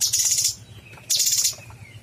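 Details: Chatty cucak cungkok bulbul giving two loud, hissing, buzzy bursts about half a second each, separated by a brief gap with faint thin whistled notes.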